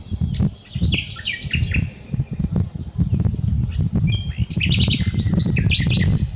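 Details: Common nightingale in full unedited song: dense rush of varied chirps, descending slurs and sharp clicks with almost no pause, over loud low background rumble.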